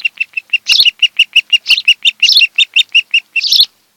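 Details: Osprey pair calling at the nest on Kent Island, Maryland, July 26, 2018, afternoon, via nest camera. A rapid, steady train of high, clear whistled peeps, about four to five per second, punctuated by louder harsh squeals.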